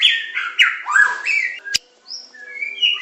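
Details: White-rumped shama of the Medan variety, singing pancingan, macet, tembakan and isian styles. Fast loud whistled and chattering phrases, a sharp click, a short pause, then softer scattered high whistles.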